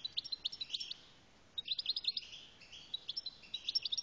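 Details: Algerian goldfinch delivering quick bursts of bright, high, repeated chirping notes, each phrase a rapid tinkling series separated by brief gaps.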